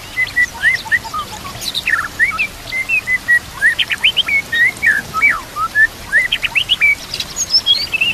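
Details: White-rumped shama, murai batu, song used as a master recording to train other shamas to sing and fight, with nature sounds and trickling water; a rich run of clear whistled notes, slurred up and down, and quick chirps, steady and unbroken.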